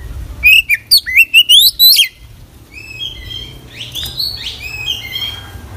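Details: Oriental magpie-robin in energetic song full of inserted phrases. A quick series of about seven sharp, rising chirps opens the passage, followed by softer high warbles and scattered twitters.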